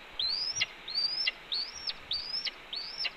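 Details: Mate-scolding red-tailed hawk at a Cornell nest during a branch delivery, April 2013: five clear, high whistles, each sweeping upward then dropping abruptly, evenly spaced about every half second.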